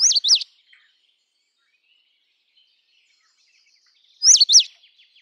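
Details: Indian robin, Copsychus fulicatus, widespread across the Indian subcontinent: two short, loud phrases of sharply looping whistled notes separated by about four seconds of near silence, faint chirps between.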